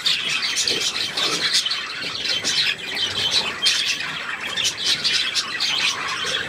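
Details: Continuous budgerigar warble, with a shrill, crackling mix of chirps and brief squawks pouring out without break, sounding like a small flock chattering.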